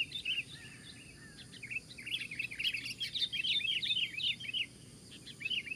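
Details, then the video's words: Sooty-headed bulbul singing while fighting: busy, rapid jumble of bright warbled notes and chirps, rising and falling, fairly loud throughout, with a faint steady background hiss. "Dengan suara lantang Rossi menggber lawan 4 lawan 1"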